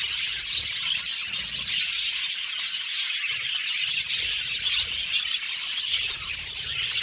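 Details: Flock of budgerigars in an aviary colony calling together, squawky chirps and twitters overlapping in a constant bright chorus with occasional thin whistles.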